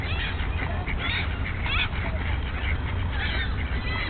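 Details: Ducks fighting during spring break 2009, one female involved: overlapping harsh, honking calls in short bursts throughout, over a steady low rumble of wind or camera handling.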